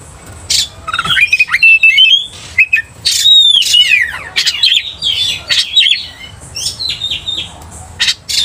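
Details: Agitated Oriental magpie-robin, riled by another vocal magpie-robin, pours out loud varied song: rising whistled slurs, harsh squawky bursts and scratchy notes run together over eight seconds, with low background hum.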